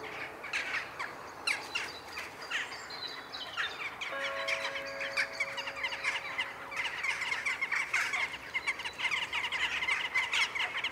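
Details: Jackdaws gathering in the evening sky over Ringenberg for their daily ritual, filmed on a Sony FDR-AX100: a dense chorus of short, sharp calls from many birds, with the 7 pm bells of the Protestant church ringing steadily underneath.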